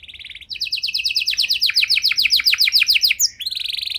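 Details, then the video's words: Canary with long-duration varied song, played to coax other canaries into singing: a brief high trill, then a run of rapid descending slurred notes, ending in another fast buzzy trill. "Kenari Gacor Durasi Panjang Cengkok Istimewa! Efektif Buat Memancing Kenari Macet Biar Gacor Kembali"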